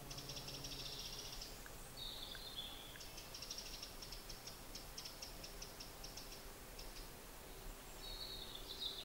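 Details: Red-breasted flycatcher (Ficedula parva) gives thin, high notes, some drawn out, others short and clipped in a quick series, over steady hiss; Moravian-Silesian Beskids, Czech Republic, 11 May 2015.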